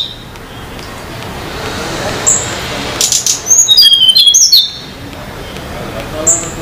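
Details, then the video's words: Sunda laughingthrush singing vigorously in the wild at Banyuwangi, Indonesia: a burst of about one and a half seconds of rapid, high, thin whistled notes stepping downward, with a few isolated high chirps before and after over steady background hiss. "Tledekan Gunung/sulingan Gunung Banyuwangi gacor di alam liar"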